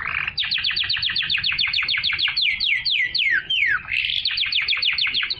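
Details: Song of a canary, sung to encourage females to mate and to tutor young birds, made of rapid repeated downslurred notes that stretch and fall lower midway before a quick trill resumes.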